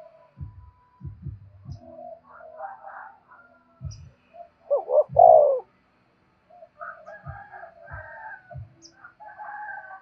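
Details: Spotted dove calling to lure wild doves: one loud two-part coo midway, a short rising note then a longer falling one, amid soft low thumps and fainter scattered cooing fragments.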